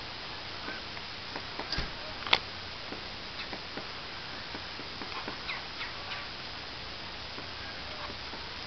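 A woodpecker taps on wood in irregular, sharp knocks, single or in small clusters about every half second to second, with a soft hiss behind.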